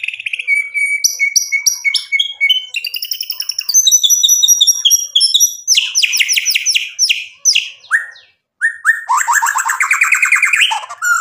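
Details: White-rumped shama in full, constant song, meant as a lure to rouse rival birds into answering: a rich, varied run of clear whistles, rapid repeated chips, buzzy trills and fluty slurred phrases that shift pitch constantly, with a short pause near the end.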